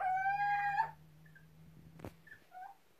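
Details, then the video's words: Captive little owls in an aviary answer a playback of their own recorded calls with mournful cries: a drawn-out, slightly rising, nasal hoot under a second, then faint short calls over a low steady hum and a sharp click. "Пение домовых сычей"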